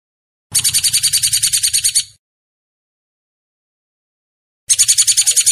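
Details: Master song of a hair-crested drongo (Dicrurus hottentottus) for training caged birds. Two bursts of rasping, evenly spaced pulses arrive in quick succession, with a long silence between them.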